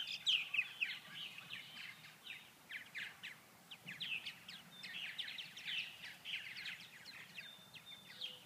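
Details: On a 39°F day in Grand Forks, North Dakota, hungry purple martins stay inactive because no insects fly; dense, continuous rapid chirping and gurgling, with fast overlapping notes from several birds.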